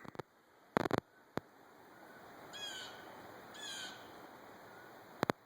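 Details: A Blue Jay in a wooded park along a ridge on 26 March 2020 gives two harsh, drawn-out, mournful warning jeer calls about a second apart, sliding downward, while a hiker's footsteps and handling clicks are heard.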